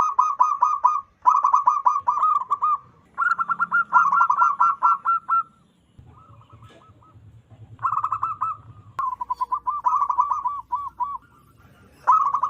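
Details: Loud, energetic cooing of a wild local zebra dove, a call suited to trapping lures: a long series of stuttering pulsed trills at mid pitch, some rising slightly, with pauses and a faint low hum in the background.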